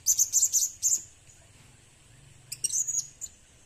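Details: Blue-crowned hanging parrot used as a lure, giving four rapid shrill chirps in the first second, a long pause, then a short burst of thin high tweets near the end.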